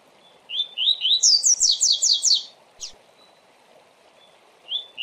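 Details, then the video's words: Fast 'tui tui' song of a double-collared seedeater, used for training: upslurred whistles speed into a run of about six bright falling notes, followed by a sharp single chip and a lone whistle later. "Tui Tui Rápido de Canto Ótimo para Manejo e Encarte - Coleiro"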